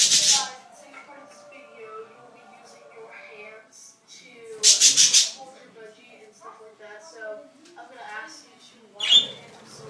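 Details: Budgerigars (Melopsittacus undulatus) chatter in a soft, rambling warble broken by three loud, harsh squawks.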